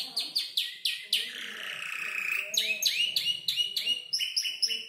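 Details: Young canary, around five months, arranging a song of imitated tutor birds like ciblek, klik-klik and prenjak lumut; varied high chirps, a long buzzy trill lasting over a second, then fast repeated sharp notes.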